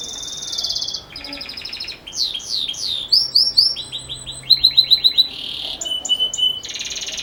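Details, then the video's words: Belgian canary singing in the campainha (bell) style, offered as tutor song for young birds: varied phrases of buzzy rolls, quick rising and falling sweeps and bright ringing repeated notes, over steady low background noise. "Canário Belga Canto Campainha Ótimo Para Filhotes"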